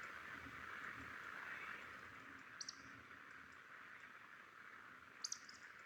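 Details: Male Eurasian woodcock roding at dusk over heathland in spring/summer, a display flight to attract a mate, passing almost overhead: two sharp, high squeaks about three seconds apart over a steady background hiss.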